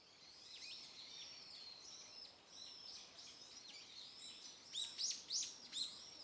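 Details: Small birds calling in a stream garden: faint high chirps over a steady rushing-water noise, ending with four clearer sharp, downward-sweeping notes a little under half a second apart.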